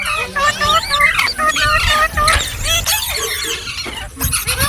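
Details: Talking, singing ringneck parrot delivers squealing, buzzy notes in quick succession, about three or four per second, interspersed with scratchy noise and a steady low hum.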